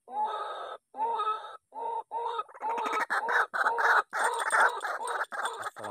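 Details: White-breasted waterhens, angered by a played-back MP3 lure call, give loud, harsh, nasal croaks in short repeated bursts that quicken and run together toward the end.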